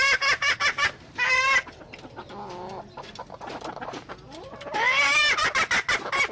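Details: Junglefowl hen alternating loud cluck bursts and a wavering squawk with a quieter, lower clucking passage, then a long loud cackle.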